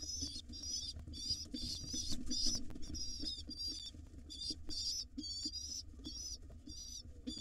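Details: Wild pigeon nestlings in a nest box go wild begging when the father drops in to feed them in the morning; thin, high squealing notes in quick repeated bursts over steady rustling and shuffling.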